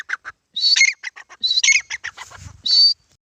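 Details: A grey francolin (Francolinus pondicerianus), a local desi teetar, gives loud, shrill, harsh notes in quick clipped bursts, with a few longer strident phrases over about three seconds.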